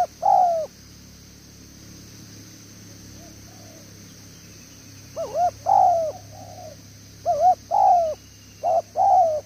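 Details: Newly caught spotted dove cooing in the 'đèo lò xo' style: paired notes, a short burst and then a longer falling coo, in four bursts separated by a pause, over a steady high electrical whine.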